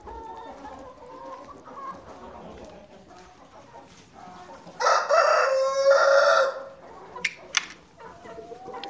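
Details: Rooster on a farm giving one loud, harsh crow lasting close to two seconds, with a strained, buzzy quality. Faint clucking and farmyard noise come before it, and a few sharp knocks follow.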